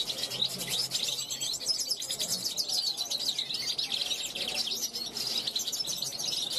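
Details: Young European goldfinch of 2021 calling out from a balcony to wild goldfinches passing; rapid, high, sparkling twitter of chirps and quick trills, pouring out steadily from start to finish.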